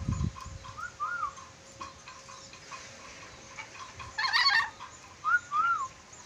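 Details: Sulawesi red-breasted parakeet repeats a smooth arched whistle, twice early and twice near the end, interrupted by one rough squawk over a quiet hiss.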